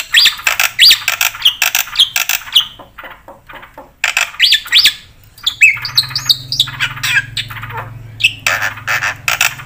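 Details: Javan pied starling in full, varied song used for call-and-response and as a tutor model for other birds: loud whistled phrases, squawky notes and rapid chattering bursts, with a steady low hum underneath.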